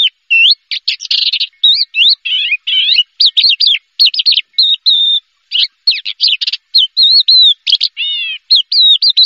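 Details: A Javan bush lark that won first place in a contest, pouring out a dense, rapid medley of buzzy trills, sharp chirps and looping whistles, almost continuous with only brief breaks, over a quiet background.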